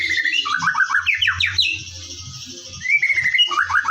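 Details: White-rumped shama (murai batu) in morning song, played as a lure to make birds sing actively: clear, rapidly repeated whistled phrases, a short pause, then a long level whistle and more quick notes, with a faint low hum.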